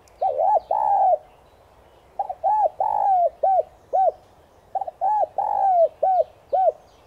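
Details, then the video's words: Morning call of a spotted dove kept as a lure bird, "Son" voice style; three full phrases in a row, each two short coos, a long sliding coo, then two or three clipped coos. "Cu gáy MỒI VÍP GÁY GỌI BUỔI SÁNG kích bổi nhanh nổi/Tiếng cu gáy Giọng Son kích bổi nhanh gáy"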